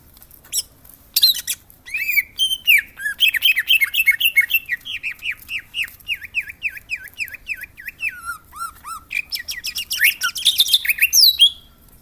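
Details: Greater green leafbird (cucak hijau) in Jogja singing a long, varied, lively song: rich chattering opening, then a run of quick downslurred whistles about four per second, ending in dense twittering phrases.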